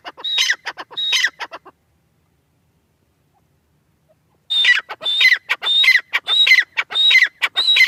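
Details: Francolin (teetar) calling: a short burst of harsh, rasping notes, a silent pause of about three seconds, then a fast run of grating notes, each carrying a bright downslurred whistle, repeated about twice per second.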